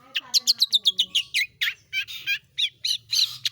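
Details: Caged long-tailed shrike, local name cendet or pentet, singing roll tembak: a fast run of sharp chirps followed by slower, harsher buzzy notes roughly every quarter second.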